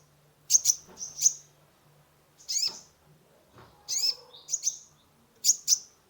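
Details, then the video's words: Sunbird known locally as kolibri ninja, singing energetically as a lure for a stressed caged bird: bright high chips in doubles and triples, with a short downslurred note, over a faint steady low hum. "Terapi pancingan konin gacor full isian mengatasi burung stress"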